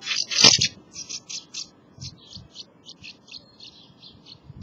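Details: At a house martin nest, a loud rasping burst opens, followed by a rhythmic series of crisp high chirps roughly every quarter second, gradually softening.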